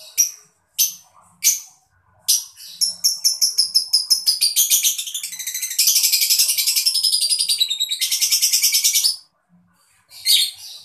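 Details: Mocha lovebird chirping, used to stimulate other birds to sing: a few sharp high chirps, then a long rapid series of shrill pulses speeding into a dense buzzing trill for about seven seconds before stopping.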